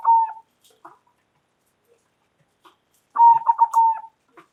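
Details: Indonesian local zebra dove calling loudly: a short coo at the start, faint clicks, then a full phrase of quick pulsed coos running into a longer sustained note.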